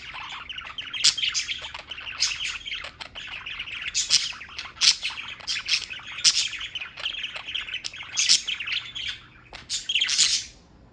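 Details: Pet birds chirping continuously in New York, a busy mix of shrill tweets and harsh squawks with loud peaks, ending in a short hush then a final burst.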